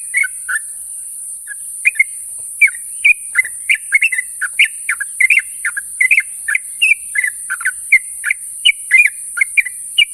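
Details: Sooty-headed bulbul morning companion calls begin sparse, with a few soft notes, then build into a steady flow of bright slurred chirps several per second against a constant high hiss.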